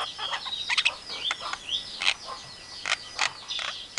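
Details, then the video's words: Javan myna copying a hen calling its chicks, an Asian pied starling and a hungry civet: harsh squawks, rasping bursts and slurred whistles, with faint background hiss. "Suara jalak kebo pintar meniru suara Memanggil anak Ayam, suara jalak suren, suara musang lagi lapar"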